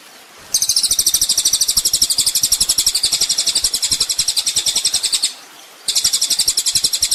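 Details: Olive-backed sunbird (kolibri ninja) on a master track for songbird training: a long high, fast-pulsed chattering trill for nearly five seconds, a brief break, then the trill starts again.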